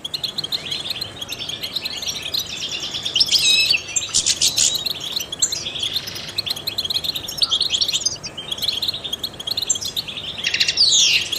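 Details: European goldfinch, a trained songbird, singing a long tinkling sequence broken by harsh buzzy rattles, mixed with bright chirps and a descending slurred note near the end.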